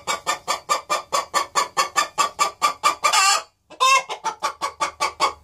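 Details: Hen cackling on the nest box before laying, a steady run of loud harsh clucks about every quarter second, broken by one long drawn-out squawk, then the rapid clucks resume.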